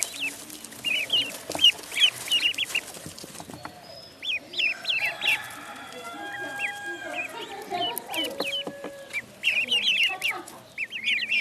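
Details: Duckling in a pond giving bursts of high, thin peeps, short arched notes in quick runs, with a quieter stretch midway where faint drawn-out tones and scattered clicks fill in before the peeping picks up again.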